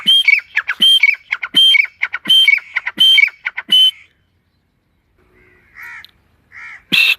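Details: Partridge in a forest: five rhythmic, harsh phrases of stuttering notes with a high whistle, spaced about three-quarters of a second apart, then silence, two soft nasal calls and a final loud burst.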